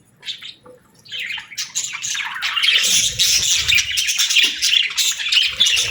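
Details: Budgerigar song that starts with a few soft, scattered chirps and then builds into a steady, loud, chattering warble of fast, squeaky, buzzy notes.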